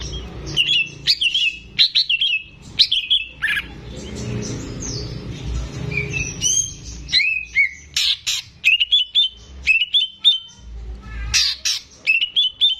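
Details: Active caged greater green leafbird song, meant to spur untrained birds: a varied, fast run of chirps, trills and short whistles, with sharp high clicks and a brief rustling pause midway.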